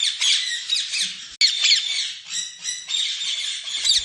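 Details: Harsh, continuous lovebird squawking, grating high notes run together almost without pause, with a brief dropout partway through.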